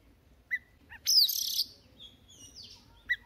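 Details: Newly caught Oriental magpie-robin warming up its voice in morning song: two brief clear notes, then a loud harsh burst with a bright whistled slide, followed by softer high whistles and a final short note.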